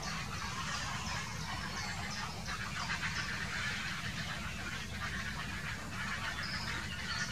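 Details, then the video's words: Grey herons squabbling in place (2018): harsh, rasping croaks coming thick and overlapping, over a steady low rumble like wind or water. "Streit an Ort und Stelle (Graureiher)"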